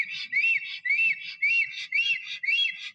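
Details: Black stork male at the nest in Poland's Noteć Forest, 17 April 2023, singing on return as another stork leaves. A steady string of loud, arched whistles, each rising then falling, about two per second, with a breathy wheeze beneath.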